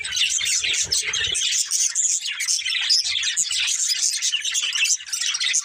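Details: A group of pet budgerigars chirps and warbles without a break, busy overlapping twittering notes, with soft low knocks during the first second or so.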